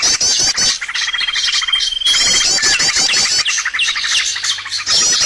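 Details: Lure recording used to draw birds to traps, with a long thin steady whistle early on, then dense chattering trills and rising chirps, in bursts separated by short lulls.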